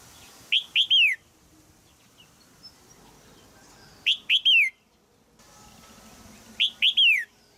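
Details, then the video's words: Caged female red-whiskered bulbul in Thailand calling to stimulate a young male to sing: three bursts of two or three sharp, descending chirps, spaced about three seconds apart, with quiet background. "นกตัวเมียร้องเจี๊ยก ๆ ในกรงเพื่อกระตุ้นให้นกหนุ่มร้องดีมาก"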